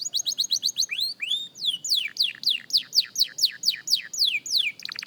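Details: Practising young canary: quick repeated chips give way to a long run of evenly spaced falling whistles, about three a second, ending in a short high trill.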